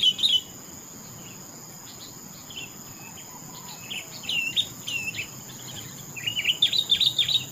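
Sooty-headed bulbul giving short bursts of bright, bubbly chirping phrases, loudest at the start and end, over a steady high insect-like drone.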